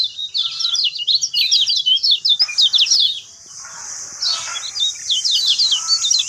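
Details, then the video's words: Lemon-bellied white-eye song used as a lure for a silent bird: fast, high twittering chirps, interrupted midway by a hissing noise before the chatter resumes more softly. "PANCING BUKA SUARA KECIAL BISU"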